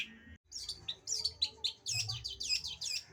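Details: Short burst of cendet song: after a brief gap, thin high squeaks and rapid looping chirps from a long-tailed shrike.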